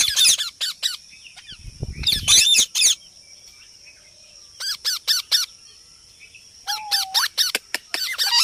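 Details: A parrot gives loud grating squawk bursts and rapid chirps, with a short, low, steady whistled note near the seventh second and a brief rumble near two seconds; no distinct speech is heard.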